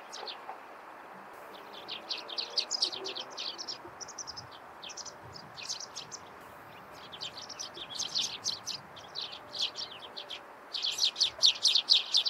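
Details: Morning chirping of Eurasian tree sparrows, a busy run of high, clipped chirps that thickens into rapid chattering bursts toward the end, over faint ambient hiss.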